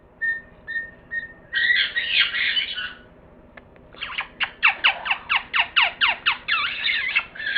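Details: Parrot calling: three short whistled notes, a harsh raspy squawk, then a rapid series of about a dozen sharp repeated chattering calls.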